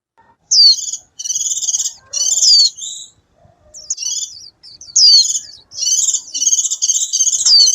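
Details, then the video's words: Wild white-eye singing to call its flock: bursts of high, rapid twittering warbles with quick upward and downward slurred notes, delivered in phrases about a second long separated by short pauses. "Tiếng chim khuyên líu hót gọi bầy ngoài tự nhiên"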